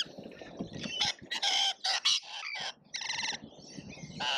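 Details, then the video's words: A flock of lorikeets in a feeding frenzy at a feeder in Australia gives harsh, screechy, overlapping calls in short bursts, loud and high-pitched with rapid chattering between. "Colorful Chaos Lorikeets Feeding Frenzy"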